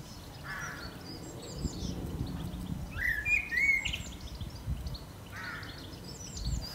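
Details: A blackbird sings a short fluty phrase near the middle of the recording, flanked by fainter, brief notes at the start and end. Low rumbling environmental noise runs throughout.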